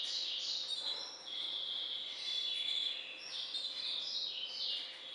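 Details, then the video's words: Hybrid finch bred in captivity from a Balkan goldfinch father delivers a fluent high-pitched twittering song of slurred notes and brief trills, barely pausing, against a faint constant hum. "Śpiew bastarda po C.c. Balcanika III"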